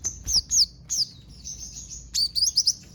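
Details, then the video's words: Sogon song carrying imitations of sparrow, cililin and canary. Sharp high whistled slurs and chirps in short bursts, some falling, others quickly rising, with brief pauses between groups. "Sogon isian Gereja sambung cililin sambung kenari"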